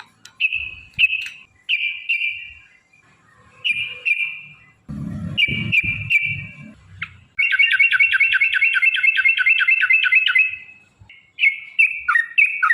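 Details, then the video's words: Lure song of a yellow-vented bulbul in the long rapid ropel style: short clipped whistled phrases separated by pauses, then a three-second run of fast evenly repeated notes, ending in further brief phrases. "trucukan gacor TARUNG ROPEL PANJANG pancingan trucukan agar bunyi"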